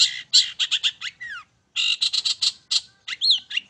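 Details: Long-tailed shrike singing in the 'main satu titik' style, a recording played to provoke birds into song: rapid harsh scratchy notes with a falling whistle, a short silence, then another harsh burst ending in looping whistled phrases.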